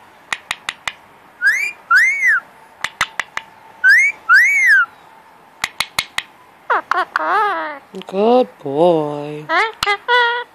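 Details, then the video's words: Attention-seeking pet male Indian ringneck parakeet at cuddle time, indoors: sharp clicks between arched rising-falling whistles, then a dense stretch of harmonic warbling chatter and low notes. "Random talking from Oatmeal at cuddle time"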